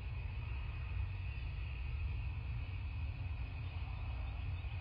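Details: A steady low vehicle or engine rumble with a faint constant high hum and no animal voices.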